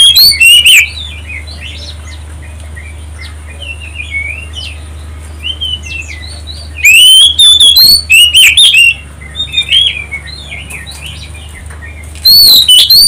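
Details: Lure song of an Oriental magpie-robin, played to provoke other birds into singing. Loud clusters of bright, varied whistles alternate with quieter stretches of softer chirping birds in the background and a constant low hum.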